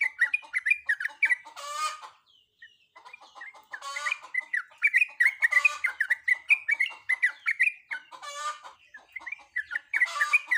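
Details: Female sooty-headed bulbul in breeding condition calling to a male: a dense, continuous run of short, bubbly whistled notes that rise and fall quickly. Several loud, harsh rasping bursts break through about every two to four seconds.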